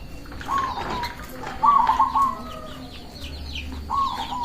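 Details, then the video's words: Local zebra dove singing as a lure to draw in doves and provoke rivals: short low cooing phrases, with the clearest near the middle, and fainter ones before and after. High thin chirps from small birds run through the background. "Perkutut lokal gacor mengundang lawan bunyi"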